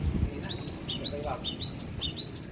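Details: Loud home-kept cinereous tit (gelatik batu) from Aceh sings a quick series of ringing two-note whistles, rising high note then dropping note, about four repeats, with a man's voice just before and after.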